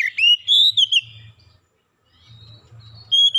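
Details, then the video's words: Oriental magpie-robin lure song for prompting birds to sing: a rising then arching whistled phrase with sharp high flicks, a long silent pause, then a flat clear whistle starting at the end; low hum in the background. "PANCINGAN KACER LANGSUNG GACOR NGEPLONG NGOTOT BONGKAR MATERI ISIAN"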